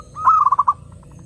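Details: Zebra dove, or perkutut, song for luring doves: a single short rolling phrase of five or six pulsed mellow coos, fading into soft trailing notes.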